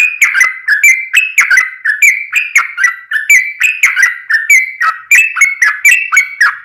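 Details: Yellow-vented bulbul in a long rapid rolling song used as a lure to make other bulbuls sing: continuous bubbly, liquid whistled notes bouncing up and down in quick succession, about two per second, with no other sounds.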